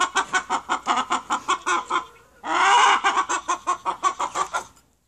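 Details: Chickens clucking in evenly spaced harsh pulses, broken by a longer drawn squawk midway, then the rhythmic clucks resume and fade out.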